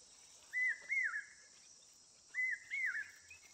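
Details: Asian koel giving two double-note calls, each a clear whistle that rises then bends sharply down, the pairs about two seconds apart, against a constant shrill insect drone.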